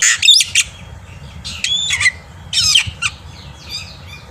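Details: Black-winged myna singing in the morning to tutor young birds. Harsh, scratchy squawks alternate with short whistled slurs in irregular bursts over a low background rumble.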